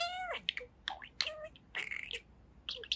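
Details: Indoor pet budgerigar, two years old, opening with a smooth falling whistled note, then rapid buzzy chatter, clicks and squeaky word-like warbles.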